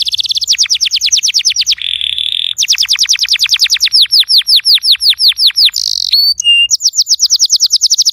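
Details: Canary song meant to encourage a non-singing canary: long series of rapid descending whistled notes, a brief buzzy churr, more fast descending sweeps, a couple of pure tones, then another trill.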